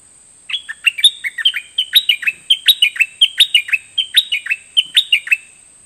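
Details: A merbah lekir bulbul sings a lively, rapid run of bubbly chirps and short warbled phrases for about five seconds over a steady, high-pitched whine.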